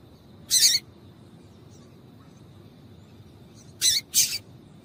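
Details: Female double-collared seedeater (papa-capim) piping meant to set a male singing: one thin, buzzy high note, a long pause, then a close pair of similar notes near the end.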